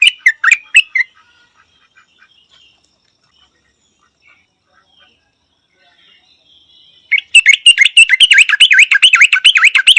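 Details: Yellow-vented Bulbul, Thailand: a few sharp notes open, followed by about six seconds of near silence, then a fast, bubbly, bell-like chatter of loud rising-and-falling notes for the last three seconds.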